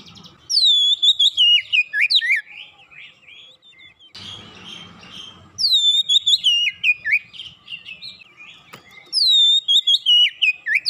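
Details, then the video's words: Oriental magpie-robin singing as a lure to make a silent magpie-robin sing; three loud bursts of ringing, descending whistled phrases separated by pauses, with a scratchy, noisy stretch between the first two. "sekali pancing Kacer macet bunyi cepat gacor"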